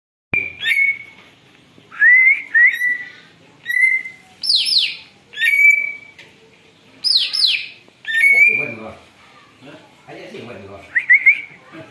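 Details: Greater green leafbird in noisy song used as a lure, said to imitate an eagle: loud whistled notes held level, alternating with bright downward-sweeping screeches, phrases spaced about a second apart.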